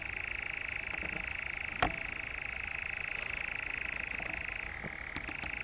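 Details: European nightjar in the Brecks, Norfolk, recorded on 7 July 2017: a steady, unbroken mechanical churring drone lasting the whole clip, distant and quiet, with a single sharp click just before two seconds.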